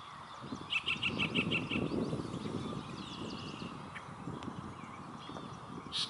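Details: A yellow-breasted chat sings in May 2021 at Springbrook Prairie, Naperville, Illinois. A rapid run of about six clipped, repeated notes is followed by scattered whistles, over a steady low rumble of wind or handling noise.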